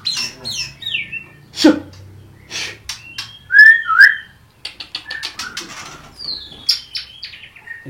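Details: A captive male long-tailed White-rumped Shama from a breeder's collection, in its third moult, sings a rich, varied song of clear whistles, quick chirps and slurred falling notes in short bursts with pauses; faint low background noise.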